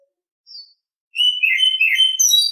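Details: Brief morning burst of Oriental Magpie-Robin song: a faint high note, then lively mixed whistles and twittering, sweet and slightly harsh, rising toward the end.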